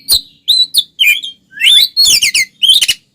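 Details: Oriental magpie-robin (kacer) in full fighting song meant to provoke other males: short bursts of clear whistles and harsh buzzy notes, phrases broken by brief pauses, some upslurred and others densely rasping.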